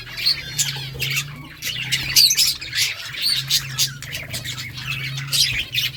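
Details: Several pet budgerigars chirping and chattering continuously, short scratchy notes mixed with brief whistled tones, over a steady low background hum.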